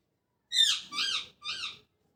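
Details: Three arched, whistled notes, each bending up then down, from a parrot chirping in the morning; the first is loudest and the last two are softer.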